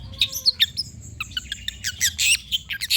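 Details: Long-tailed shrike song used as a lure recording to coax reluctant birds into singing: rapid, varied high chattering notes, short chips and upswept whistles in quick bursts, with a faint low hum underneath.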